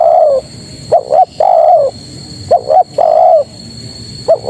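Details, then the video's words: Female spotted dove calling to males: a soft double coo followed by a long, even, slightly falling coo, the phrase repeated about every one and a half seconds, with a faint steady high-pitched hum behind. "Suara Terkukur Betina Memanggil Jantan"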